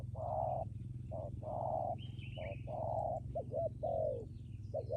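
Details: Strong-cooing decoy spotted dove producing long, flat, sustained coos alternating with short notes, ending in quicker clipped coos, with a brief high chirp from another bird mid-way.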